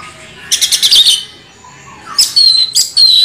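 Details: Orange-headed thrush singing in the continuous rolling style called ngeroll: two loud bursts of rapid, scratchy high notes, each ending in a thin, sharp whistle, separated by a quiet pause.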